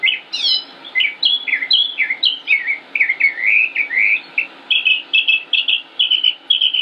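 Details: A male Northern Mockingbird (Mimus polyglottos) singing continuously in Concord, North Carolina, USA, on 25 May 2016: a varied run of clear whistled slurs and chattery notes, each phrase repeated several times before switching, over a faint hum.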